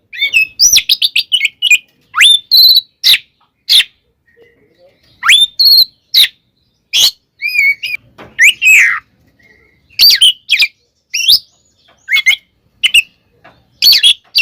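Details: Fighting song of an Oriental magpie-robin, played to provoke rival birds, a fast stream of whistled, buzzy and chattering phrases with rising swoops, short silences between bursts.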